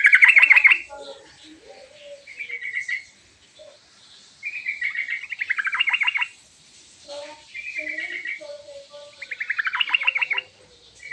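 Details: Yellow-vented bulbul singing a lively, varied calling song meant to make others answer: loud bubbling trills in short bursts with gaps, alternating with quieter, lower fluty notes.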